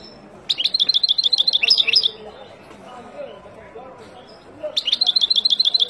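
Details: Wild European goldfinch song used to teach young birds: two bursts of rapid, evenly repeated high twittering notes, the first lasting about one and a half seconds, the second starting near the end, with a quiet pause between them.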